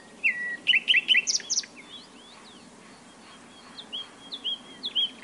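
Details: Nightingale phrases of quick clipped notes and sharp upward-swept chirps, followed by softer slurred whistles, over a steady low hiss of background noise.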